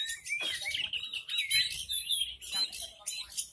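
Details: Kept Horsfield's bush lark, called "hitam putih", singing a rapid jumble of high chirps and buzzy trills with quick downward-sweeping notes and brief pauses.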